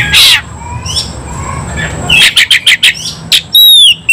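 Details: Agitated oriental magpie-robin (kacer) in fighting mode: an explosive high burst, soft rising whistles, then a fast string of loud clipped chirps, about five in a second, ending in sweeping high whistled slurs.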